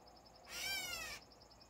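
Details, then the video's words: A catbird's lone raspy mewing note, drawn out and slightly slurred, lasting under a second, with faint high-pitched pulsing in the background before and after. "Catbird #momentofzen earlier today.."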